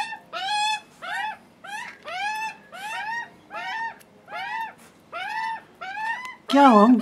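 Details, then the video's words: Juvenile Australian magpies on their first visit begging hungrily for food, watched by a nervy father; repeated harsh, nasal arched screeches about every half second, ending in a lower, louder wavering squawk. "screaming hungry juvenile Magpies"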